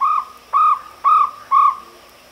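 A jungle owlet gives four hollow, evenly spaced notes, each a brief rise and fall, about two per second, over a faint steady hiss.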